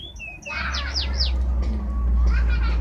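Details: Canary, labelled 'badai', gives a short burst of sharp descending whistled sweeps, followed by softer fluttering notes and a steady low hum underneath.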